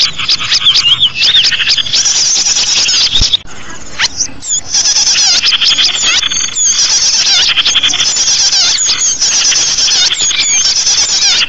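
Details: Birdsong used to lure small birds: a dense, loud chorus of many overlapping birds twittering, with high whistles and rapid chattering notes all through, and a brief dip partway.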